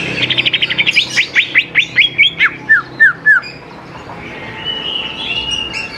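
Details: Greater green leafbird song, used as a lure for young birds: a fast stuttering run of sharp notes, then about a dozen clear slurred whistles at half-second pace, with softer chattering behind.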